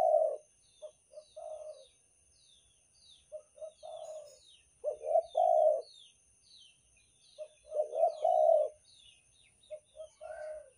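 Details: Spotted dove of the Banten type, a lure call used to draw in other doves: low mellow coos in short stuttered notes followed by drawn-out phrases, repeated roughly every three seconds, with faint high chirps of small birds behind.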